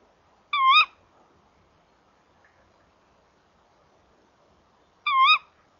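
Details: A female tawny owl comes to the nest box at 19:18 on 27 February and gives two sharp, shrill kee-wick calls several seconds apart against a quiet evening background, glancing inside before flying off.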